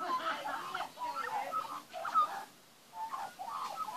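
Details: Magpies singing in a backyard as young are fed. Dense, overlapping warbled whistles chatter along steadily, pausing briefly before resuming.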